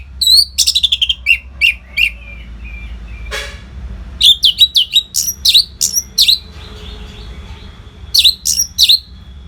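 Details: Orange-headed thrush's nonstop training song for competition birds, with rapid bursts of high chirps and swooping whistles, one harsh rasping note near the middle, and a long, varied run of notes afterwards.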